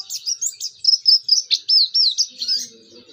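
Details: Oriental white-eye learning to sing, its song used to prompt other white-eyes: a series of high, clear slurred whistles given about twice a second, rising and falling, with a faint low hum near the end.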